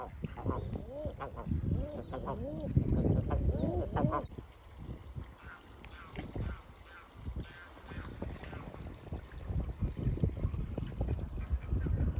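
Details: Common eiders at WWT Washington give a quick run of soft, crooning 'woooo' notes that rise and fall over the first four seconds, then low splashing and murmuring noise continues.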